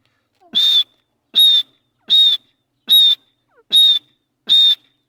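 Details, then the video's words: A pair of partridges calling: six short, loud, shrill notes with a whistled edge, evenly spaced about every 0.8 seconds, with quiet gaps between them. "teetar boli"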